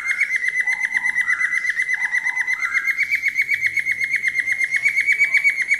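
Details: Falk bird whistling in a daily training recording meant for tutoring other falk birds: a fast, steady run of bright chirped notes, about four per second, with occasional lower warbled phrases underneath.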